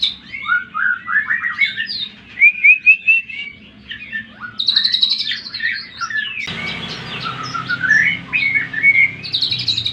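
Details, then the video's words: Greater green leafbird song used as a lure to rouse other leafbirds: rapid varied chattering and whistled phrases, many quick rising and falling notes, with an abrupt change in recording partway through and a low steady hum underneath. "Pancingan Cucak Ijo Materi Joss Cepat Menaikan Emosi Ijo Mana Saja Auto Jamtrok"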